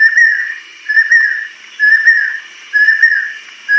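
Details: Adult female banded kingfisher from Southeast Asian lowland rainforest; steady drawn-out whistles, each held briefly with a slight rise, repeated about once a second.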